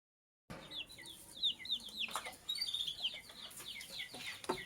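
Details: Lovebirds, sky blue opaline and cobalt colour forms, heard in the morning: a dense, rapid run of short high chirps and twitters, overlapping and restless, with a faint low rumble underneath.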